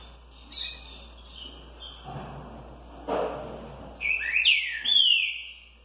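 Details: Green-winged saltator (trinca-ferro), caged, 'curricurril liso' song: soft scattered chirps and rustling first, then a loud burst of swooping, slurred whistles near the end.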